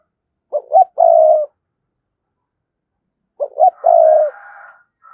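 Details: Cooing spotted dove trying to call in wild doves with a provoking coo. Two mellow phrases about three seconds apart, each of two short notes and a long coo, the second with a fainter drawn-out coo over it.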